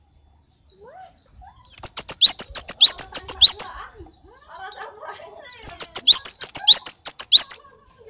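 Oriental white-eye giving two fast bursts of high, sharp, rising chips, about three per second, separated by softer twittering; copies a Java sparrow's rapid notes.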